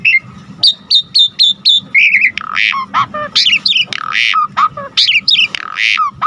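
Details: Asian pied starling singing energetically in full song packed with varied phrases, used as a lure and tutor for other birds: four repeated high whistled notes, then a run of slurred whistles, harsh buzzy bursts and falling notes. A faint steady hum sits underneath.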